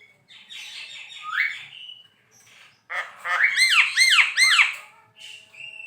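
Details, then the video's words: Javan pied starling in song: a scratchy warble ending in a rising whistle, a short pause, then three loud ringing squawks in quick succession amid chattering notes. "JALAK KEBO GACOR"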